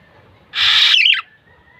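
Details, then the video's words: Kilyawan, the black-naped oriole: a single loud, grating call of about half a second that ends in a short run of quick descending twisted notes. "SOUND OF BLACK-NAPED YELLOW ORIOLE/KILYAWAN"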